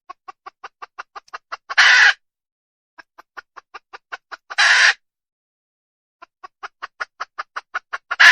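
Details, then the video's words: Wild junglefowl hen repeating long runs of rapid, regular clucks, each run ending in a loud harsh squawk; three such phrases, the last cut off at the end. "Suab poj qaib qus tsauj dib tuaj zoo heev"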